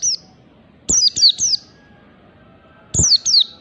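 Oriental white-eye giving thin, very high, sharply falling chirps in quick pairs and triplets, with a few faint clicks between them.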